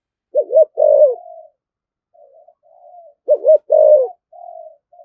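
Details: Spotted dove cooing in the 'thổ thúc gù' style: two phrases, each a double low coo then a longer falling note, separated by soft trailing purrs.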